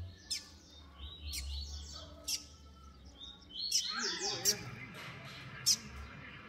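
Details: Young male double-collared seedeaters, kept by a breeder, compete around one o'clock in the afternoon, trading quick, high twittering phrases with sharp chip notes.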